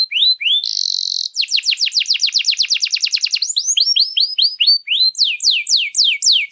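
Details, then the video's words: Canary in long, continuous, richly varied song, used as a master recording to train or lure other canaries: loud, rapid trills of repeated high falling notes, switching between phrase types, with a brief buzzy burst near the start. "Kenari Gacor Panjang Lagu Mewah, ampuh buat pancingan atau masteran"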